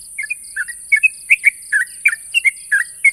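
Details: Sooty-headed bulbul challenging a rival with quick chirpy, slurred notes in rapid clusters, some rising, some dropping, repeated several times a second; a steady high insect-like hiss and a faint pulsing buzz run beneath.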